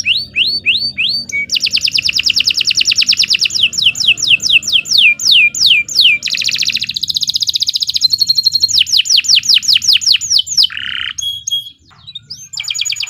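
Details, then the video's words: Long canary song meant as a tutor for other birds, loud and shrill: fast trills of repeated steep downward sweeps, rolling buzzy tours, and sharp high notes changing every second or two, over a faint low hum. "Kicau Burung Kenari II GACOR PANJANG Cocok untuk Masteran"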